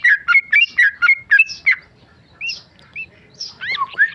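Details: Tame male sooty-headed bulbul singing ropel: a quick series of burry slurred whistles, then a pause and several separate clear rising and falling whistled notes.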